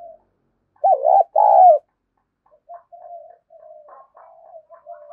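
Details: Spotted dove cooing to lure, the kích bổi call. A loud, wavering double coo comes early, followed by a run of quieter, clipped, low notes.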